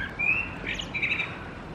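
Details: A common blackbird singing in December on a campus: a brief phrase with a clear, level whistled note, then a quick run of warbled notes, over faint background hiss.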